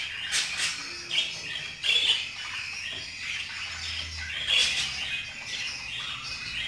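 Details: Budgerigar gives high clicky chirps and short whistled notes in loose bursts about every second or two, between softer twittering.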